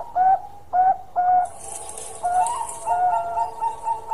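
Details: Bangkok-type zebra dove singing its long song: three short quavering coos, then a run of rolling, overlapping cooing notes. A steady high hiss starts partway through.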